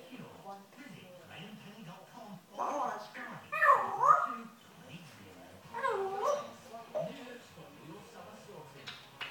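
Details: African grey parrot indoors, known for swearing and talking in a yam yam accent, babbling speech-like phrases with wavering voiced syllables and a few louder bursts in the middle.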